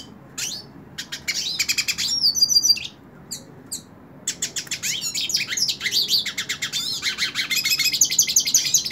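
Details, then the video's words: Held in the hand, a hooded siskin sings bursts of quick chirps and a buzzy trill, then a sustained, rapid, high twittering warble with many sweeping notes. "Cabecita Negra Canta En La Mano / Pintassilgo Cante Na Mão"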